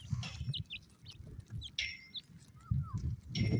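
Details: Iranian partridge (Irani teetar) chicks calling their mother with thin, high peeps and short chirps in scattered bursts over a low, steady rumble of background noise.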